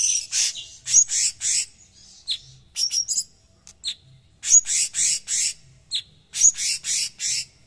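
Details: Cucak cungkok, kept as a tutor bird for its coarse, tightly packed voice, delivering quick harsh raspy notes in clusters of two to four, with occasional thin sharp squeaks between them.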